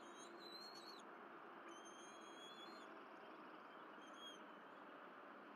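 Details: Bald eagles feeding on their Berry College nest on an April 2023 morning after the mother brings fish. Two or three faint, level whistled squeals with strong overtones, separated by pauses, over a continuous hiss.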